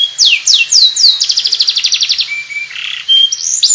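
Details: Canary ngriwik warble: a few loud downslurred whistles lead into a fast even trill, then short flat whistles and a harsh buzzy note.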